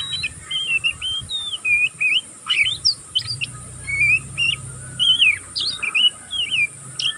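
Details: Oriental magpie-robin youngster learning its song delivers unbroken ngeriwik twittering. Quick bursts of scratchy chirps mix with slurred, looping whistles. A soft low hum runs underneath partway through.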